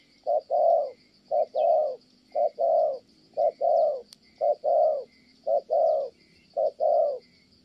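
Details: Spotted dove in Kon Tum, Vietnam, cooing steadily: low, mellow coos in short-then-long pairs, about one note each second, over a constant high insect drone.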